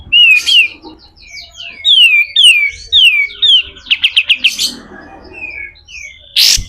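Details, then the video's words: Pied triller in the rough 'besetan kasar' song style, used for tutoring other songbirds: a chain of descending whistled slurs, then a quick run of sharp clipped notes and a final harsh burst. "SUARA KASAR‼️katem gacor dor, masteran burung"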